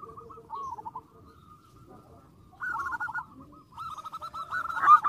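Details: Zebra dove song provoking rival birds: faint, murmuring coos at first, then a clearer rolling burst, a pause, and a final rapid, rising run of bubbling notes that grows loud at the end.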